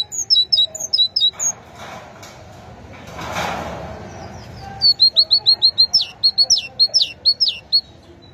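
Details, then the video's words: Great tit with a few high paired notes at the start, a gap with a soft rushing noise, then a long, fast volley of sharp, bright two-note phrases repeated over three seconds. "أجمل وأعذب تغريد لطائر الحداد (القرقف الكبير )chant messange charbonnier"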